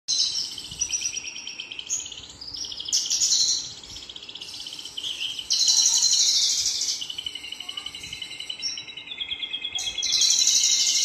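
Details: Male Javan bush lark singing high, buzzy, shimmering trills in long sustained stretches. The trills rise and fall in loudness over a steady background hiss.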